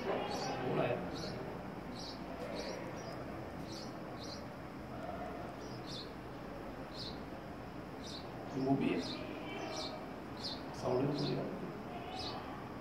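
House sparrows give short, bright chirps repeated every half second or so over a steady background hum, with a few muffled low sounds like distant voices.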